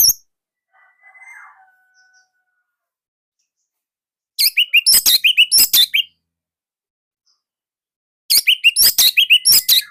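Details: Orange-headed thrush, Indonesia, singing as a master bird for other thrushes: a soft thin whistle, then two bursts of fast, loud, chattering high notes separated by about two seconds of silence.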